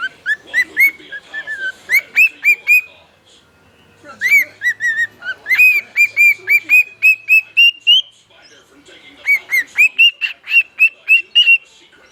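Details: Singing male pet bird delivering several long bouts of rapid whistled chirps, roughly four per second, each bout climbing slightly in pitch before breaking off, with short quiet pauses between bouts.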